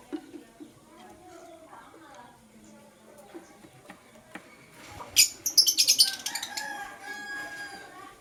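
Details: Blue and green lovebirds in the morning, bursting into a rapid, loud series of shrill, scratchy chirps after a quieter stretch of faint background bird calls and low household noise.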